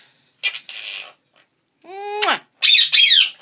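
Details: Pet Quaker parrots, a pair kept together, give a short burst of sounds: a brief raspy note, a falling, strained squawk, then two loud harsh screeches in quick succession.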